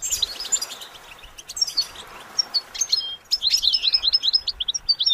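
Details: Goldfinch song for training, scattered high chirps and brief whistles at first, then a livelier closing run of rapid twittering notes.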